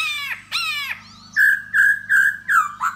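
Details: Laughingthrush of the da bò type, singing and dancing to lure a female, gives two harsh descending squawks followed by four loud flat whistled notes in quick succession, over a low hum.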